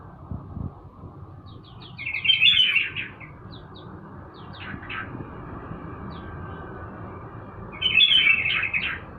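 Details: Morning sunning of a sooty-headed bulbul: two short bubbly, chattering phrases about six seconds apart, separated by scattered thin chirps over low rumbling background noise.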